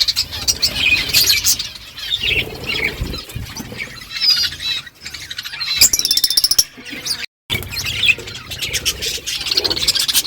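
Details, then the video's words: Flock of budgerigars in the morning, chatting to each other: constant busy high-pitched warbling and chirps from many birds, interrupted by a brief silent break. "Budgies flocks in beautiful morning 🌄 birds talking to each other"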